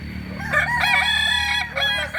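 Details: A short burst of Kokok Balenggek crowing, a native Solok breed of West Sumatra, with bright, rising and falling harmonic notes stacked closely together.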